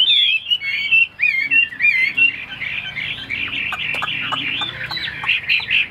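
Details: Captive tame Chinese hwamei: clear looping whistles at the start, then a dense, fast, jumbled warble of overlapping notes that grows busier toward the end.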